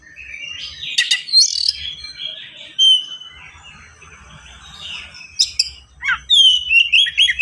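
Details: Oriental magpie-robin in fast, dense song packed with varied fills, meant as a master recording for training other magpie-robins: sharp clicks and whistles, a long thin warbling passage, then loud rapid descending and rising slurred notes.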